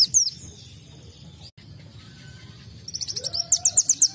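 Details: Sunbird giving canary-style song: a short high twitter at the start, a long quiet pause with low background hum, then a quick burst of rapid, high, chattering notes.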